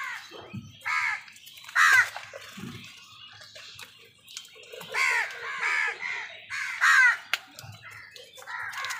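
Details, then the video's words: Crows squabbling with wild birds over food: a busy run of harsh, rasping caws at uneven intervals, some loud and some softer, overlapping with scattered lower sounds. "কাকের ডাক"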